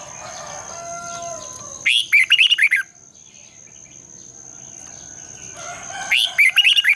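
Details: Red-whiskered bulbul in competitive morning song, a long twisted double voice used to train and excite other birds. Two quick bursts of bubbling, up-and-down warbled notes about four seconds apart, soft background whistles, a steady high whine.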